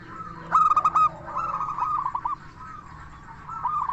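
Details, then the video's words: Local zebra dove with a 'crystal voice' song used as a lure to make other zebra doves answer: one loud, bright bubbling coo phrase, then softer rolling coos from other doves behind it. "Perkutut Lokal Gacor SUARA KRISTAL Ahlinya Bikin Semua Burung Perkutut Langsung Nyaut"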